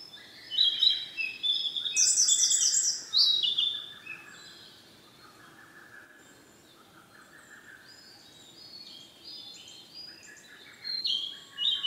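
A male Siberian blue robin sings loud, high, jangling phrases with quick notes and short trills, then quieter warbling that picks up again near the end.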